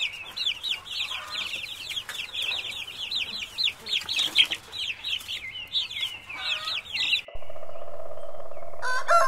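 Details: Chicks peeping in a rapid, dense chorus of high, bright, wavering notes for about seven seconds, roughly two per second, then a sudden switch to a steady, droning tone with a burst of other sound at the end.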